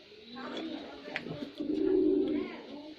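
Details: Short burst from a performing male white pigeon: a murmuring low coo building to one strong, sustained rolling note.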